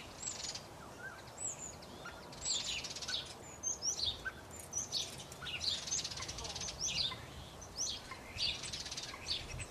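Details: Common starling in a garden at Hengelo, the Netherlands, giving a busy run of high whistles, squeaks and clicking, rasping bursts, several per second in places, against faint background hiss.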